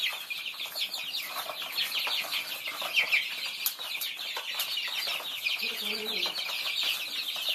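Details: Thai chicks feeding, a crowd of them peeping at once: dense, overlapping high thin peeps that run without pause for the whole stretch, with a few faint lower clucking notes near the end.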